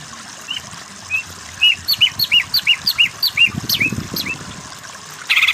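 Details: Masteran training song of a greater green leafbird, used to teach other caged birds a powerful 'kejer' delivery: a steady series of about a dozen sharp upslurred whistles at roughly three per second, ending in a brief burst of buzz.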